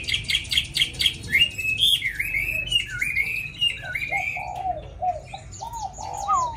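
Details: Caged Hwamei with a tame wild-type voice, eager to sing as soon as it is hung up, pours out loud varied whistled phrases: rapid high repeated notes, then slurred rising and falling whistles, ending in lower mellow notes.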